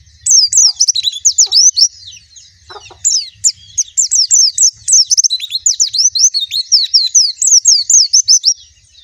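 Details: A long white-eye song: fast bursts of high, bright slurred chirps, pausing briefly then resuming in lively runs, over faint low background noise.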